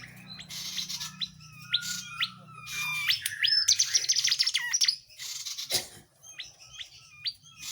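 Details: Tledekan jati singing steadily as a tutor recording for other cage songbirds: sharp rising whistles and clipped notes in short phrases, a dense high chattering burst in the middle, and a low droning hum early on.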